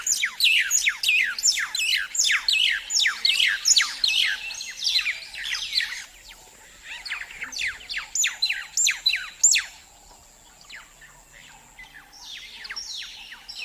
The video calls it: Weaver bird sound effect